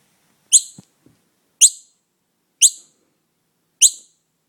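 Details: A young noisy miner, found without its mother and taken home to be cared for, gives four sharp, piercing, high calls, each brief and falling slightly, spaced about a second apart, with silence between.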